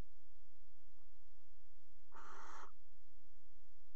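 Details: Single harsh, noisy screech lasting about half a second from a barn owl at a nest box in a Dutch water tower during mating on the box rim in February; otherwise only faint background hum.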